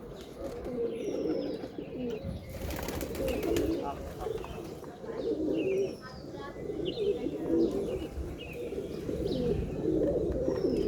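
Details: Steady low cooing of pigeons fills the recording, with a brief noisy clatter early on, scattered high chirps, and some voices in the background.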